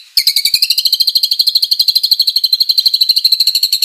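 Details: White-rumped shama (murai batu) in vigorous lure song with fill-in material: one steady, rapid high trill of about three pulses per second-fraction, roughly 188 per minute, held for nearly four seconds.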